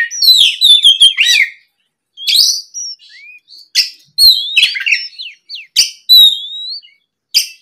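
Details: Oriental magpie-robin lure song for the afternoon, meant to prompt other magpie-robins to reply: loud chattering runs and clear slurred whistles, phrases separated by brief pauses, no other sounds.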